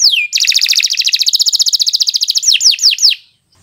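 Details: Long-singing canary, recorded as a master song for young birds: a falling whistle, then a very rapid, even rattle-like trill lasting over two seconds, ending in several loud down-slurred notes and quiet.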